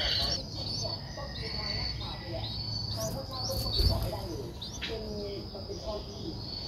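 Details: An 11-day-old streak-eared bulbul nestling, eyes open since day 7, gives short, high, upward-flicking chirps every half second over insect whine, low rumble and faint voices; Ubon Ratchathani, Thailand, 13 April 2023.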